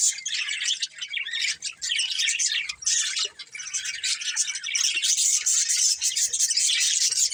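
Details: Breeding pair of colourful budgies chattering steadily, a busy stream of high scratchy chirps and warbled twitters with no real pauses, some thin whistled notes on top.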